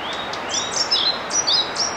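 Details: Male European pied flycatcher singing to advertise his territory to potential mates: high, sweet whistled phrases with sharp up-and-down notes, repeated quickly over a steady hiss of background noise.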